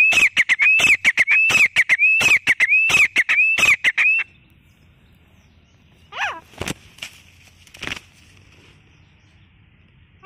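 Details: A grey francolin, recorded on a hunting outing, gives a rapid run of loud, ringing, high arched notes for about four seconds, mixed with sharp clicks, then near silence with scattered knocks.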